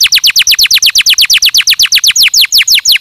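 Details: Canary in stimulating song, repeating bright descending notes in a fast even series of about seven per second.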